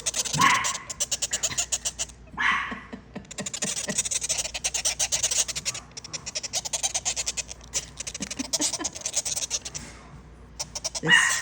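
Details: Monk (Quaker) parakeet chicks about 10 days old, hungry while being hand-fed by syringe, beg with a rapid, raspy stream of buzzing pulses, with brief human speech.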